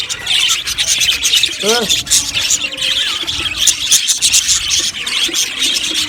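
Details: Budgie colony in an aviary chattering with dense high chirps and squeals; a short series of lower rising-falling notes stands out near the two-second mark amid the constant twitter.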